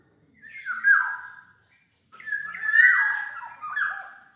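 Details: Black-naped oriole song used as a lure or tutor: a short fluting whistle, a pause, then a longer phrase of sliding, slightly harsh whistled notes.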